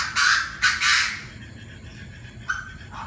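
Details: Chinese francolins calling around 7 pm, several voices: two loud, harsh, buzzy notes in the first second, then quieter shorter calls trailing off near the end over a low background hum.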